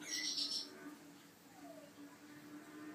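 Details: African grey parrot chick, described as gentle and fluffy: a harsh, hissing, high burst of sound lasting about half a second, followed by quiet with a steady low hum.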